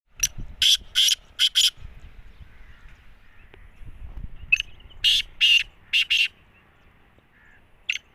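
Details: Black francolin giving its jungle call. Loud, harsh, grating notes come in tight groups of three or four, with pauses between phrases, over faint low background noise.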